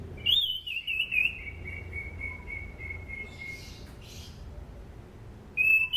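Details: Orange-banded thrush singing, recorded as a training lure for other songbirds: a bright whistled note falling into a long, steady, drawn-out whistle, then silence and a fresh whistle starting at the end.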